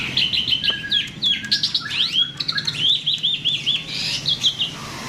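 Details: Myna singing energetically, used as a lure to get other birds to sing: a fast, varied run of clear whistled notes, slurs and rising and falling sweeps, with quick repeated looping phrases near the end.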